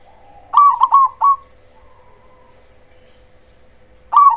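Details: Loud-voiced cemani zebra dove song used as a lure to stir other zebra doves into replying: three quick stuttering coos followed by a soft drawn-out trailing coo, then a new phrase starting at the end.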